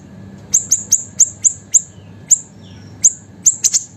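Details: Small siri-siri bird singing actively, kept as a master and lure for training songbirds; short, very high, sharp chirps falling slightly in pitch, about eleven in four seconds, unevenly spaced, with a faint low hum behind.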